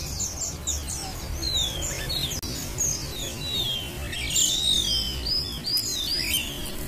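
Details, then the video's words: Several Malaysian pied fantails in Pemalang, Central Java, Indonesia, sing over one another: high, thin whistled phrases and quick chirps, many slurred and falling, over a low rumbling hum. "Ombyokan Burung Sikatan ( kipasan jawa)"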